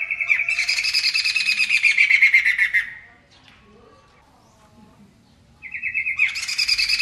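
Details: Poksay mantel laughingthrush singing vigorously (gacor), booming: a rapid pulsed whistled note run that swells into a harsh, buzzy rattling chatter for about three seconds. After a quiet gap, a second whistled run and chatter begins.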